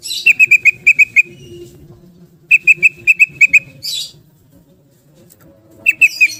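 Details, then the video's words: Ropel-style song of a yellow-vented bulbul: three bursts of seven to eight bright, clipped notes fired in rapid, evenly spaced runs, separated by pauses and brief raspy noises. "Kicau Garuda Tarung Trucukan Gacor bikin Gelisah Geram Semua Trucuk jadi Ropel Gacor"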